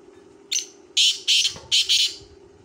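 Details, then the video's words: Black francolin, known locally as kala teetar, giving a harsh, grating call of five clipped buzzy notes, with a short gap after the first, over a constant low hum. "Kala Teetar Ki Awaz Black Teetar Voice Black Francolin Voice Mushki Teetar Voice"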